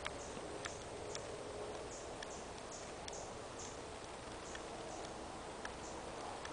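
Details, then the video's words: A Cinnamon Hummingbird in San Blas, Nayarit, Mexico, gives about a dozen sharp, very high chips at an uneven pace over a steady background hiss. "Cinnamon Hummingbird - Colibrí canela"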